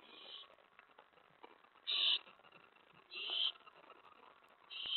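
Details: Owl at its nest begging during a nighttime prey delivery, 11:28 PM on May 15, 2017; three raspy, hissing screech bursts roughly one to one and a half seconds apart over quiet background noise.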